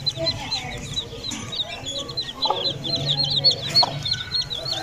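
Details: Aseel chicken chicks peeping in a dense, steady run of short, bright, high notes, with faint low rumble and a few soft clucks behind.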